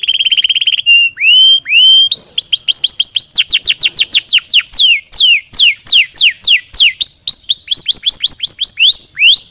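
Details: Canary song used to stimulate lazy birds into singing: rapid whistled trills, then a long series of bright, sweeping down-slurred notes repeated several times a second, high and clear with no other sounds.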